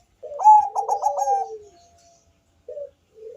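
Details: Bangkok zebra dove singing in a thick bass tone to draw other doves into song: one phrase of quick stuttering pulsed coos that merge into a long descending coo, followed after a pause by two short soft cooing notes.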